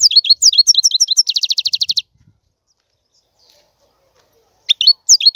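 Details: European goldfinch twittering rapidly in jangling high notes that run into a fast regular trill, then a long silence before a few more bright chirps.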